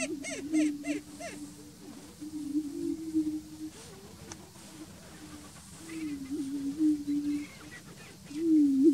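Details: Greater prairie-chickens on the Bledsoe Ranch lek give low, droning hoots that overlap almost continuously, broken by short rising whoops and sharp cackling bursts near the start.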